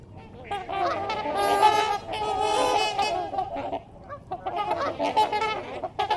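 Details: A flock of trumpeter swans wintering for a few days in Ann Arbor gives loud, brassy, nasal honks, several birds overlapping in a rapid, uneven chorus of about four calls a second.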